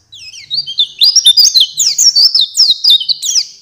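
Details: Champion pleci song used to teach songbirds: a soft opening note, then a steady stream of high, rapid, tumbling chirps and twitters.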